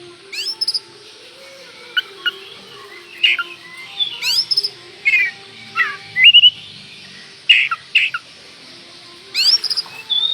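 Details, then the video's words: Provocative lure song of an oriental magpie-robin, used to stir another bird's emotions: a rapid, scattered series of sharp, sliding whistles and short harsh notes in irregular bursts, with a faint constant hum behind. "pancingan burung Kacer gacor ini bisa mendobrak emosi Kacer anda"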